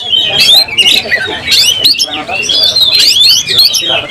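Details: Agitated oriental magpie-robin in fighting mood with tail spread, pouring out a fast, varied song of sweeping whistles and chattering notes, punctuated by sharp snapping clicks and a faint low rumble.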